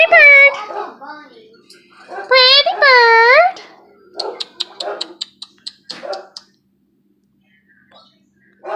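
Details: Pair of pet lovebirds with two eggs, indoors while a woman talks to them: after her speech comes a quick series of sharp, high, thin chirps, roughly a dozen in two seconds, then quiet.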